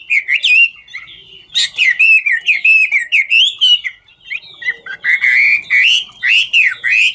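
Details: Chinese hwamei, 'ngũ trường' song style, performing while dancing; varied whistled phrases with upward and downward slurs, a brief pause midway, then richer, rolling whistles that swoop up and down.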